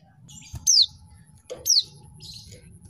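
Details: Short sharp descending chirps from a female mountain white-eye, used to goad idle males into singing; two high downward-sweeping notes close together, trailed by faint softer twitter, with low hum underneath.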